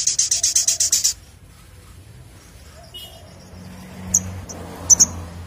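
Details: Crimson sunbird in 'ngleper ngalas' style opens with a fast high trill of about nine pulses, then falls quiet before a few isolated sharp chips near the end.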